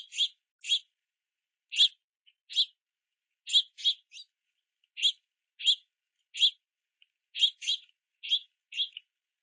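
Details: Juvenile house finches waiting at a feeder in rain, chirping to be fed by parents carrying sunflower seeds; steady series of brief buzzy chirps, sometimes paired, roughly every half second to second.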